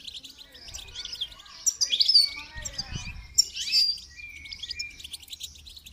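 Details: Goldfinch singing during song training: bright, rapid high twittering with buzzy trills and sharp chirps, denser in the middle, with a brief low thump near the three-second mark.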